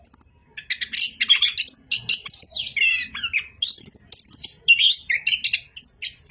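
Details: Orange-headed thrush singing nonstop: a rapid, varied run of high whistles, sharp chirps and buzzy notes, some phrases sliding down, delivered in quick bursts with short gaps, no other clear sounds.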